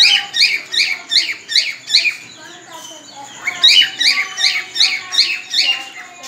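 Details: Cockatiel mating whistle from a bird ready to breed: rapid series of short, sharp, upswept whistled chirps, about two or three each second. There is a brief lull midway, then the chirps continue steadily.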